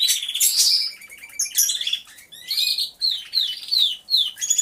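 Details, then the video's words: Canaries singing in an aviary, not staged. Bright chattering trills open the phrase, then a series of quick, swooping downward-slurred whistles repeats about twice a second with short gaps. "CANTO DE CANARIOS | AVIARY SOUNDS (SONIDO REAL DE UN AVIARIO DE CANARIOS)"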